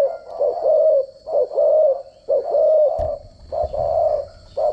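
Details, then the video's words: Decoy spotted dove call for training doves, a standard cooing voice: mellow repeated coos about once a second, with a steady faint high whine and a low thump midway. "chim cu gáy mồi giọng gáy chuẩn dùng luyện giọng chim cu gáy mỗi ngày"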